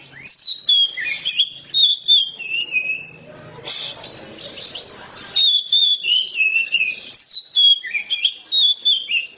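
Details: Oriental magpie-robin in ngeplong song: rapid whistled and warbled notes, interrupted midway by a brief rough, noisy passage, after which a fast series of clear phrases resumes.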